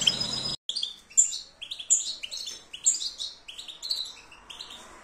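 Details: European goldfinch delivering a rambling song of short, bright, descending chirps and twitters, grouped in quick bursts with brief pauses, moderately quiet and clear.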